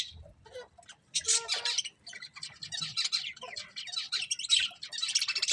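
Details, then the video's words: Colourful budgerigars chirping in a dense, high scratchy chatter, with short bursts and squeaky notes overlapping almost without pause, plus a faint low hum underneath. "Beautiful Colourful Budgies Chirping Sounds"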